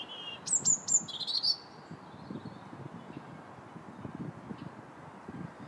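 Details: Robin singing on January 21st, in winter: a burst of very high, thin whistles and sharp descending notes in the opening second and a half, then quiet with low rumbling background noise.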